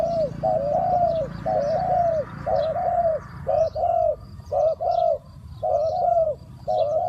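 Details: Spotted dove kept as a lure bird, calling to draw in wild doves; rounded low coos strung in groups of two or three, nearly continuous, with small birds twittering faintly above.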